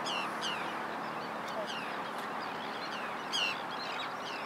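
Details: Forster's tern, filmed 12 May 2011 on a Panasonic GH2: several brief harsh downward-sweeping calls spaced about half a second apart, one louder note near the end, against constant rushing noise.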